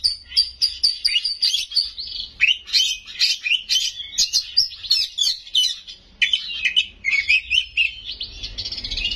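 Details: Captive white-rumped shama singing loudly with varied mimicked fill-ins, a rapid string of high whistles, trills and sharp chips repeated in quick bursts.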